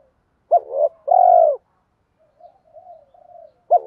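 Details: Spotted dove giving lure cooing, called kích bổi, meant to stir other doves: a short abrupt coo, then a longer loud drawn-out coo, then soft low murmuring notes, and another coo starting at the end. No other sounds.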